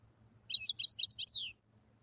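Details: Wild European goldfinch singing: a one-second burst of fast tinkling, twittering notes with quick up-and-down slurs ending in a slurred descending note, over faint low rumble.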